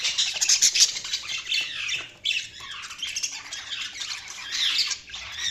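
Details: Chirping budgerigars give continuous scratchy, warbling chatter with harsh squawky notes and quick trills, pausing briefly around two seconds in before carrying on.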